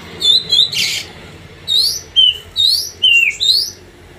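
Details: Oriental magpie-robin (kacer) in pacingan song meant to excite other birds: a rapid series of bright upslurred whistles and a few descending notes, about two per second, after an early harsh rasp.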